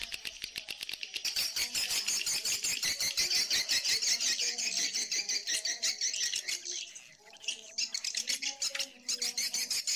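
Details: Mixed edible-nest swiftlet colony and mating calls, with the mating call dominant. Loud, rapid trains of high clicking chirps, roughly three per second, pause briefly before resuming, with faint low tones underneath.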